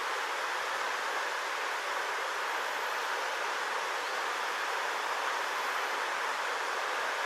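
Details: Constant broadband rushing noise, like flowing water or strong wind, covers the whole recording with no distinct animal sound.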